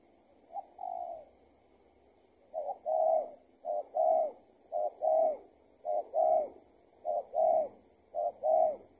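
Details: Trapping with a decoy draws answers from a spotted dove that turns out to be an escaped tethered decoy. After two early coos, a regular run of clipped-then-rolling double coos follows at roughly one-second intervals.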